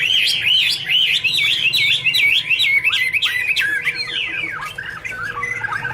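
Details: Chinese hwamei (Garrulax canorus) singing a loud, continuous run of varied whistled phrases, rapid rising and falling notes tumbling one after another with a faint steady hum beneath.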